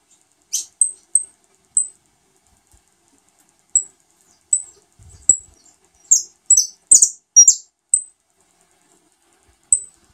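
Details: Saffron finch feeding its newly hatched young: scattered thin high peeps, then a tight flurry of harsher, buzzy squeaks midway before single peeps resume.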